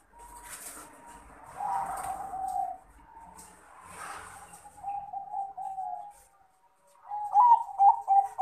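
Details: Male crossbred Bangkok zebra dove calling a rival: clear tonal coos and short warbled phrases, with a louder rolling burst near the end and faint rustling in between.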